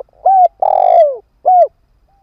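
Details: Ground decoy spotted dove calling to lure wild birds: three low coos, short, long and falling, then short, each steady and mellow, in quiet surroundings with no other sounds.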